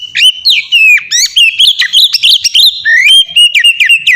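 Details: Continuous melodious ngeplong song from an Oriental magpie-robin, used as a lure for untrained birds: dense run of bright whistles, rising and falling slurs and clipped chips without a break.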